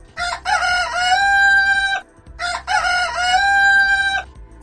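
A rooster crows twice, each a loud, harsh, stretched call of about two seconds that rises then holds level, with a short pause between.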